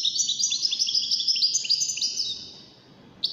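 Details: European goldfinch, one of five 'widaniya' goldfinches in a song competition, sings a fast high twittering run of tinkling, sliding notes that fades out, then a single sharp chirp at the end; a faint low murmur sits underneath.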